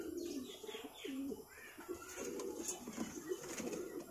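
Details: Fancy pigeons at a hobbyist's lofts in Purwokerto, some nesting with newly hatched young, give low, soft, rolling coos in short bursts, with thin chirps from kept songbirds and a man talking nearby.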